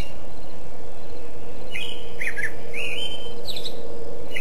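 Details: Bird song: a few short, bright chirps and a brief whistled slur in the second half, over a steady low hum.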